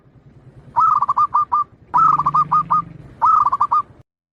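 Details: Zebra dove of the local Bangkok perkutut type, its characteristic song used as a training recording: three phrases of quick, stuttering, mellow coos, each run of about five notes ending in a short trill, over a steady low hum.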